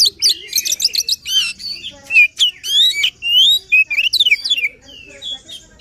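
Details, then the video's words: White-rumped shama in full emotional song, meant to spur a lazy bird to sing: rapid varied whistles, sharp rising and falling notes and harsh chattering phrases delivered in quick succession. "Kacer Gacor Full Emosi, cocok untuk mendongkrak Kacer yang malas bunyi."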